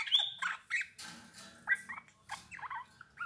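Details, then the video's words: Song of a Eurasian bullfinch: a soft, creaky warble of short grating and piping notes, several per second in uneven groups, with quiet scratchy noise underneath. "Chant bouvreuil pivoine"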